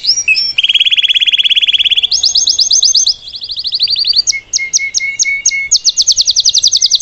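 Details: Salsa canary singing live to teach its young to sing, delivering a varied song of rapid rolling trills at several pitches, a low whistled note series, then crisp spaced high notes and a fast final trill.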